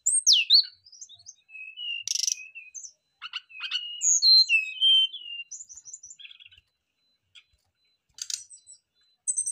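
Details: Brown-chested jungle flycatchers answering each other, singing loudly and showing off mimicked fill-in phrases: sharp descending whistles, clear slurred notes and short buzzy bursts in varied phrases separated by brief pauses.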